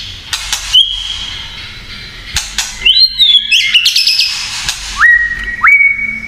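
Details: A provoking kretekan song by a white-rumped shama: a sustained high whistle, a pause, then harsh crackling notes and two clear upswept whistles near the end.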